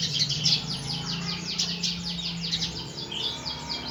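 Red siskin singing a fast, continuous twitter of high, buzzy chirps with no pauses, over a steady low electrical hum.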